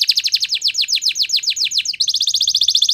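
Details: Belgian canary song for training: a fast series of descending whistled sweeps about eight per second, then a quicker, even trill of short high notes.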